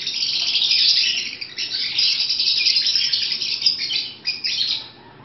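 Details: Breeding-season chatter from pet African lovebirds: rapid, shrill chirps run together in a steady stream, briefly loudening and thinning toward the end.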